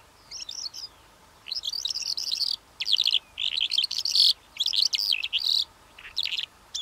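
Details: Calandra lark pouring out dense bursts of high, scratchy twittering song about a second long, separated by short gaps, each phrase packed with rapid chirps and trills.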